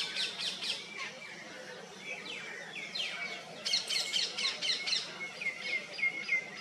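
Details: A paradise flycatcher at Agra in June 2021, while building a nest, gives rapid, high, sharp chirps and short scratchy notes in quick bursts, with other small birds chirping alongside.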